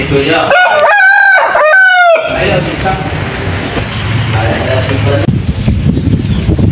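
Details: Rooster crowing in a peaceful Indonesian village: two loud, harmonic-rich crows in quick succession within the first two seconds, then a low rumble of background noise with a steady high whine.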